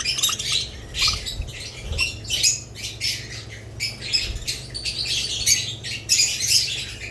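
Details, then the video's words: Budgerigars and lovebirds: a series of short, harsh squawks and chirps in uneven bursts about every half second, with faint soft thumps underneath. "Budgerigars lovebirds Chirping Sounds"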